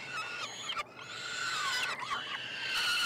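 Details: Peregrine falcon chicks, triplets hatched in late May, begging while being fed in a nestbox at the University of Montreal, Quebec, Canada, on 21 June; overlapping harsh, drawn-out wailing squeals with slurred falling notes.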